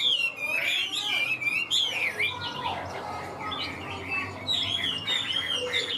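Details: Caged Chinese hwamei, a tame bird about 95% accustomed to people, singing loud, varied whistled phrases that rise and fall sharply, with quick slurred notes and short trills in rapid succession; faint low hum underneath.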